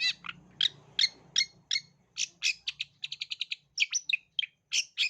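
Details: Long-tailed shrike singing, played as a lure to spur young birds into song: rapid harsh, scratchy notes delivered in a fast stuttering series, including a tight run of clipped repeated chips midway, over a faint low hum.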